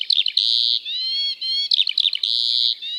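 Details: Eurasian Skylark song from the British countryside, sung while hovering high and continuing on descent; bright sustained whistled notes alternate with quick chirping runs, high-pitched and unbroken.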